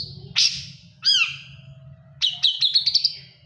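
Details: Moulting long-tailed shrike keeps singing: a sharp high note, a twisting downward whistle, then a quick rattling burst of five or six clipped notes, separated by short gaps, with a faint low hum behind.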